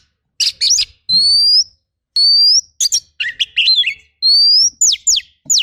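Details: Kacer master song of rough bursts: sharp chirps alternating with long, smooth rising whistles repeated several times, plus steep downslurred notes and a brief run of varied chatter.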